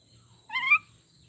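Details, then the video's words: Common myna copying human speech in the Bodo language: one short, rich, voice-like syllable that rises steadily in pitch and ends abruptly, over a quiet background. "Maina Bird - The First Human to Talk in Bodo Language!"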